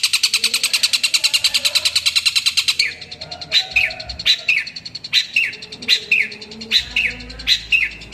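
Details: Long-tailed shrike; call; calling a rival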